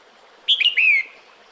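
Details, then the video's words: A female red-whiskered bulbul calls to the male during breeding season with one short phrase: two clipped notes followed by a longer falling slurred whistle. "Tiếng Chào Mào Mái Gọi Trống Mùa Sinh Sản"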